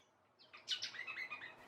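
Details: A Lewin's honeyeater at an Australian wildlife sanctuary in August gives a single loud, harsh chattering burst of high, rapid notes lasting about a second, with nothing else heard.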